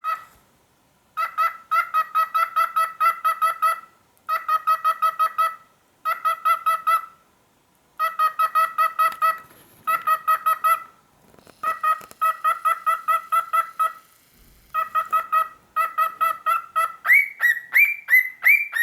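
A cockatiel gives bursts of rapid, buzzy repeated notes, ending in a few short rising whistles.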